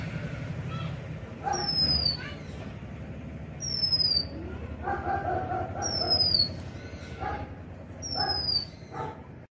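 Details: Oriental magpie-robin uttering a series of high, clear, falling whistles at intervals of about two seconds, mixed with louder mid-pitched bursts and a low background rumble.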